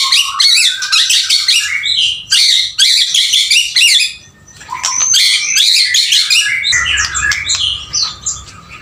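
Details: Male white-rumped shama in full song, delivering dense bursts of harsh chattering and scratchy trills interleaved with short whistles, pausing briefly between loud phrases; faint low rumble near the end.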